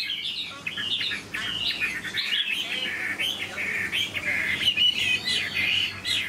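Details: Chinese hwamei in captivity, a big bird noted for its fine voice, delivering a rich flowing song of rapid warbled and whistled notes, some harsher squawky phrases mixed in, steady low hum behind.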